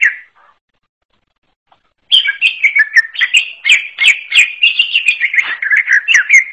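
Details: One brief whistle, then almost two seconds of silence. Then the greater green leafbird of the forest type (cucak ijo alas) launches into a steady stream of rapid chattering and slurred whistles, about two or three notes per second.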